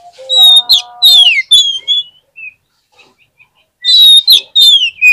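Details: Oriental magpie-robin singing, played as a lure to prompt quiet birds to reply: loud clear whistles that slide downward, given in two bursts separated by a pause, with a brief low droning tone at the start.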